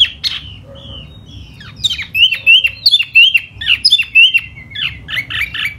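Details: A laughingthrush sings during spring in a fanning display: a lone whistle, a quiet gap, then a lively series of ringing slurred whistles mixed with sharp chips.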